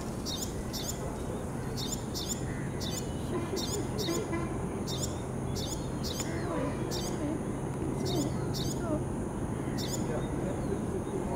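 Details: Male Loten's sunbird at Fishermans Bay, Sri Lanka, in February 2019, giving sharp, high chip notes, often in pairs, about every half second to a second, over a low rumble and voices.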